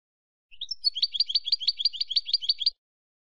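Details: A Spanish goldfinch sings a rising two-note intro, then about twelve quick, evenly spaced buzzy-bright twittering notes in a steady roll lasting just over two seconds; quiet background.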